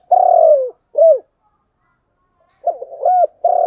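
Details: Spotted dove with a 'giọng đồng' voice cooing: a long, smooth, slightly falling coo, then a short rounded note. A pause follows before a stuttering note, a short coo and another long, steady coo. The background is quiet.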